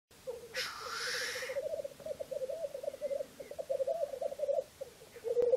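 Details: Black grouse (Lyrurus tetrix) bubbling call: a long, low, dove-like bubbling warble that rolls on for seconds, opening with a harsh, wheezy hiss.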